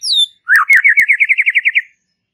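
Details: White-rumped shama in relaxed chattering song, used to prompt young birds: a high descending whistle, then a sliding note and a fast run of about a dozen wavering whistled notes, with a few sharp clicks.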